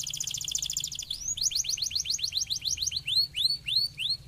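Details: Canary song meant to stimulate other canaries: a fast buzzy trill in layered bands, then a quick run of rising upswept notes slowing into separate arched whistles.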